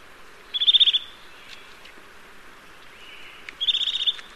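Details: Eurasian nuthatch calling twice, each a fast burst of bright high piping notes, separated by about three seconds of near silence with faint thin sounds between.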